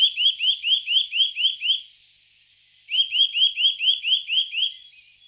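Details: Eurasian nuthatch giving rapid rising whistled notes, about six a second, in two bursts separated by a brief gap with a few softer higher twitters between them.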